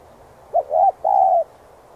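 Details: Spotted dove cooing in the 'thúc giọng' style, used to stir up decoy birds: one three-part phrase of a short low note, an arched coo and a longer falling coo, mellow and hollow, over quiet background.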